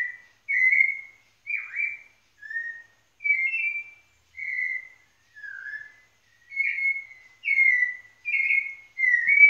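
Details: White-necked thrush in Pernambuco, Brazil, singing a series of clear, fluty whistled phrases, each under a second long, some slurred downward or rising, repeated almost every second.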